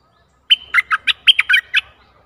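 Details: Bulbul kept as a decoy to attract a very old wild bird, 11 August 2021, sings a rapid run of about eight sharp whistled and gurgling notes, loud and clear, with a faint low rumble beneath.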